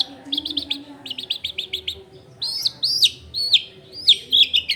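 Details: Long-tailed shrike song meant as a lure for other shrikes: a quick series of repeated clipped high notes, a brief pause, then loud harsh rising slurs, with low household hum behind, recorded in a crowded residential area.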